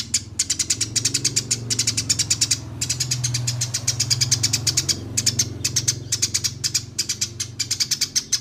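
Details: Eurasian tree sparrow singing a fighting, full rolling 'ngeroll' masteran song: nearly continuous, loud streams of rapid, sharp chirps broken only by short gaps, over a low rumbling hum.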